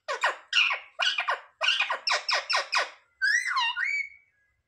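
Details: Indoor pet parrot talking, imitating words like "mummy papa": a quick series of about eight rhythmic, clipped speech-like syllables, followed by a longer smooth, wavering harmonic utterance.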